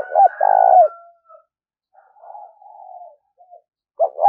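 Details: Spotted dove cooing, the urging and calling styles used to train decoy birds: a loud drawn-out throaty coo, a quiet gap, soft murmuring coos, then two short strong notes returning at the end.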